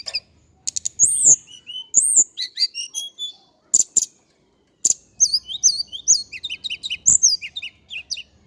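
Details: Male indigo flycatcher from Java delivering a lively, varied song of high slurred whistles, rapid trilled chatter and sharp clicks, the phrases coming thick and fast over a quiet background.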